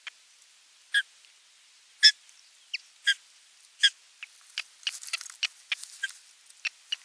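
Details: Osprey nest scene on 27 June 2022, fish delivered and feeding watched; evenly spaced high yelping notes about once a second, then a denser flurry of thinner chirps.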